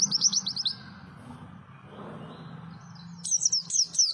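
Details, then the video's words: A small white-eye with a fiery, melodious voice gives a short high twittering phrase, pauses amid low humming background, then bursts into another fast, sharp chatter of high notes. "Kicau merdu si burung PLECI - si kecil suara cabe rawit"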